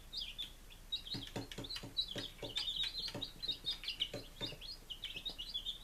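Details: Five-day-old chicks in Lunenburg, Massachusetts, 23 July 2017: continuous overlapping high-pitched peeps from several birds, with a run of soft rhythmic tapping sounds underneath and steady background hiss.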